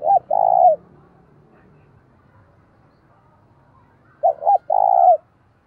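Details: Two cooing phrases from a decoy spotted dove meant to provoke fighting, about four seconds apart, each a clipped pair of hoots followed by a sustained low coo, with quiet background between.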